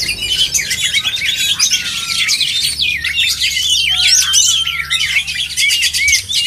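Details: Oriental magpie-robins singing at a contest: busy chorus of bright whistled phrases, drawn-out downslurred notes and rapid chattering trills from several birds overlapping, over a low steady hum.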